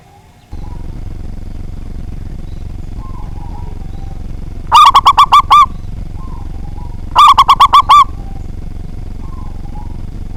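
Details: Local zebra dove with a big voice, used as a lure to provoke rivals: two rapid phrases of five or six cooing notes over a steady low hum that starts just after the opening.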